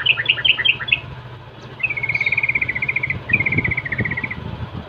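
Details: Sooty-headed bulbul 'rol' song used to taunt rivals into answering; quick stuttered notes followed by two long even bead-like trills, over steady low background noise.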